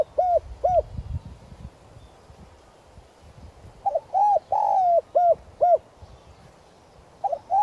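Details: Spotted dove used as a decoy for wild doves, short arched coos early, then a full phrase with a long sliding coo and clipped notes, another phrase starting at the end, over low background noise.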